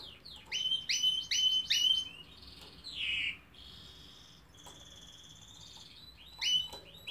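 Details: A Belgian canary (Serinus canaria domestica) sings bright, high, rapid trilled phrases with repeated chirps and a rolling warble, pausing briefly between bursts.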